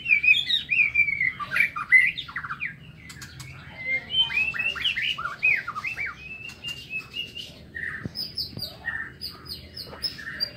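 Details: White-rumped shama song from an aviary in the morning: long stretches of rapid, varied whistles and chattering slurs, with later sharp high ticking notes repeated in a steady series.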